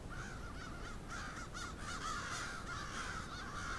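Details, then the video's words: Crows in a large flock in Moncton, New Brunswick, Canada, cawing over one another: rapid, rough, repeated caws in a steady clamour with no pause. "Whole lot of crows!"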